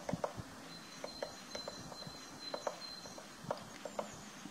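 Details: A Eurasian three-toed woodpecker excavating its nest chisels wood in irregular, dull knocks, about two or three per second, with a faint steady high whine behind.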